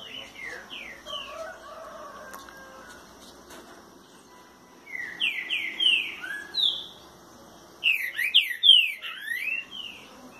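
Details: Green-winged saltator singing at 6:30 on a Thursday morning: groups of descending slurred whistles, quiet in the middle, then louder bursts of falling and rising whistled notes, with a man speaking afterwards.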